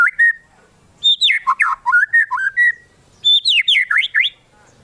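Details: White-rumped shama song used to provoke other shamas into singing: three bursts of loud, clear whistled notes, sliding up and down in quick chopped phrases, separated by short pauses.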